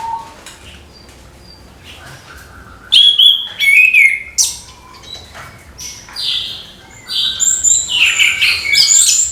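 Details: Morning song of an orange-headed thrush, played to spur young thrushes into singing: quiet opening, then loud bursts of sharp, sliding whistles and rapid chirpy notes in uneven clusters, building toward the end.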